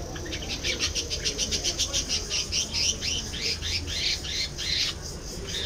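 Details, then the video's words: Budgerigars warbling continuously, rapid repeated chirps and upward-sweeping whistled notes at a steady pace of several per second, ending in a brief quiet gap and a last chirp. "budgies bird"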